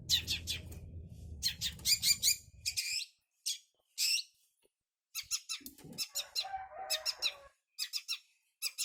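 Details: Young long-tailed shrike, learning Kunti, gives loud grating bursts of high scratchy notes separated by short silences, with some lower buzzy fragments near the end.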